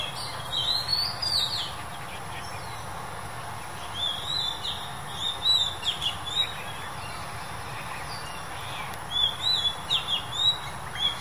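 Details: Male Oriental magpie-robin, recorded May 2021, gives bright, high whistled phrases in short bursts, some rising and slurred, with pauses between, over a soft steady background hiss.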